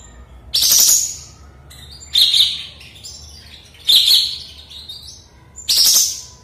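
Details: After its moult a Sooty-headed bulbul is singing eagerly again, having earlier fallen silent: four loud, rough-edged bright phrases spaced about one and a half seconds apart, with a low hum behind.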